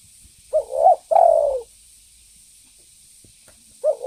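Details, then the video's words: Lure call of a vigorously calling spotted dove: one full low phrase of two quick wavering hoots and a long, slightly falling coo, then a pause and the start of the next phrase, with a faint high hiss behind. "Suara pancingan burung Tekukur Gacor"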